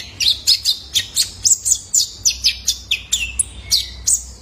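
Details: Caged juvenile male ruby-cheeked sunbird, a training lure for other birds: evenly paced, high, downslurred chips, roughly four per second, with a faint low whistle near the end.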